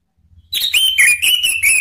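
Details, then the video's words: Orange-headed thrush lure song for provoking rivals: a continuous flowing sequence of rich whistled notes with slight up-and-down slurs, over a low background hum. "SUITAN ANIS MERAH MEMANCING LAWAN JADI NGEPLONG"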